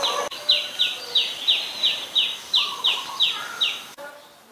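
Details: Adult Common Tailorbird in Ubon Ratchathani, Thailand, 20 April 2022: a fast, even series of about eleven loud, high, clipped notes, each sliding down in pitch, roughly three per second, then a short pause and a fainter note.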